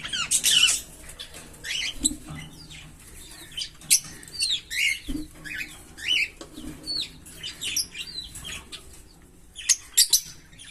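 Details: Green Fischer's lovebird pair, captive, singing: scattered sharp chirps and short twittering bursts spaced about a second apart, with some faint low hum underneath.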